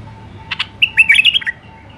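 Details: Wild White-eared Bulbul, Iraq, singing the refined Alwazi style: two sharp introductory chips followed by a rapid warbling run of whistled notes, over a faint steady electrical tone.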